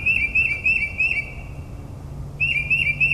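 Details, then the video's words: Night-singing northern mockingbird, suburban New Jersey, mimicking other species: a run of bouncy repeated whistled notes at a steady pitch, a short gap, then the same pattern resumes. "Moonlit Melodies - Mockingbird's Nocturnal Performance in NJ"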